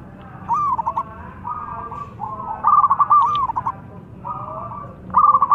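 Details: Local zebra doves calling loudly and answering each other: softer cooing phrases run into loud, stuttering trilled coo bursts, repeated several times across the stretch.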